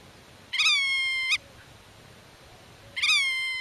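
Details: Black-tailed godwit defending its nest territory and talking with hidden chicks in the grass: two long, nasal, harmonic calls about two and a half seconds apart, each gently falling in pitch.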